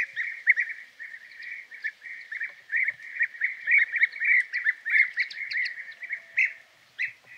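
European bee-eaters keep up a steady chorus of rolling, liquid 'prruip' calls, several birds overlapping at a quick, uneven pace.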